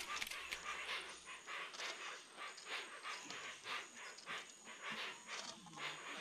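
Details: Hoatzin recorded in the Amazon of Brazil, producing a string of coarse, wheezing hiss-like calls about every half second, noisy and unmusical, over a continuous shrill insect hum and a brief low rumble at the start.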